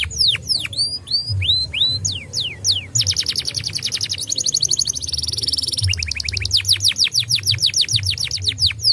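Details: Canary song used as a lure to prompt young canaries to sing: rapid rolling trills of steep descending whistles, switching between fast buzzy rattles and slower swooping notes, with a low hum underneath.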